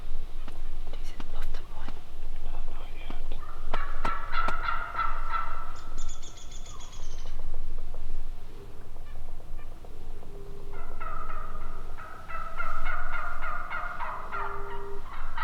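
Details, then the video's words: Several wild turkeys call together in a chorus of yelps and purrs, with bursts of rapid harmonic notes in two long runs separated by a quieter stretch, plus a brief high whine and a constant low rumble. "Saturday Turkey Talk! Epic Sounds of Turkeys Calling!!"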